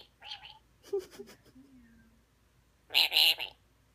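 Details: Blue-streaked lorikeet kept as a pet indoors, reacting while watching a recording of herself: soft chattering notes and a brief gliding whistle, then a loud, harsh, buzzy burst of screeches lasting about half a second.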